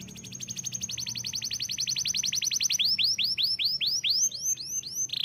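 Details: Canary song opening with a long, very fast trill of short notes, shifting to slower arched whistles, and ending on a brief buzzy note.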